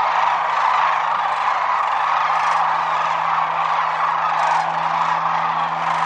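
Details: Wintering flock of Sandhill cranes, Whitewater Draw Wildlife Area, Arizona, giving a constant chorus of rolling trumpeted rattles from many birds, steady in volume throughout, over a faint low droning hum.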